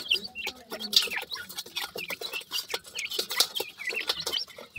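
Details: Teetar chicks calling: bright, high, falling peeps repeated in quick bursts by several francolin chicks, interspersed with crisp clicks and knocks from close by.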